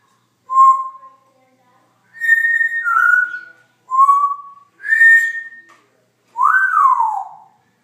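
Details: Pet Congo African grey parrot whistling a phrase of five clear notes: a low steady note, a high note stepping down, a low note, a high note, then a bending note sweeping up and falling away.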